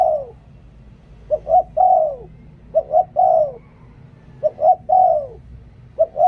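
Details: Spotted dove decoy bird repeating its cooing phrase four times. Two clipped coos lead into a longer, smoothly falling coo, with gaps of roughly a second between phrases.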